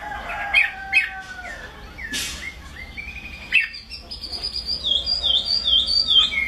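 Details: Chinese hwamei song: after some short chirps and steady tones, a run of high, clear whistled notes swoops downward in a repeated pattern several times in a row.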